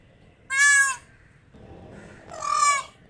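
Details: Peacock giving two loud, nasal, wailing calls about two seconds apart, each roughly half a second long with rich ringing overtones, the second call slightly longer and falling in pitch at the end; quiet background between the calls.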